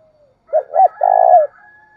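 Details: Spotted dove cooing in the thúc bổi and gáy gọi styles: two short rising-falling low notes, then a long, steady, slightly wavering hoot, all mellow and low-pitched, with a faint hum in the background.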